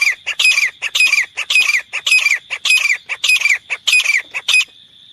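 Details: Grey francolin calling steadily in rough, rasping phrases, each ending in a descending squeal, about two a second for several seconds before stopping, leaving a faint whine. Intended as a trapping lure.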